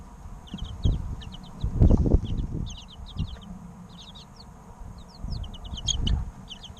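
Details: Chirping from three-week-old baby chickens, recorded to play to eggs in an incubator: rapid bursts of thin, high descending peeps in twos and threes, with heavier low bumps and shuffling underneath.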